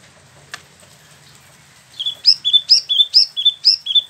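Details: Caged Spot-throated Babbler, locally called Wambi Mini, imported from mainland China and Vietnam, kept a year and freshly moulted, in Bandung, West Java, singing its rolling ngeroll song: a quiet start, then a fast run of bright whistled notes, about two per second.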